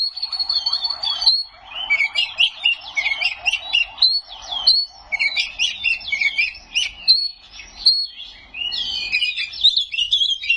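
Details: Loud white-rumped shama song full of mimicry: a clear high whistled note opening each phrase, followed by tumbling buzzy trills and twitters, phrases repeating every couple of seconds over a quiet background.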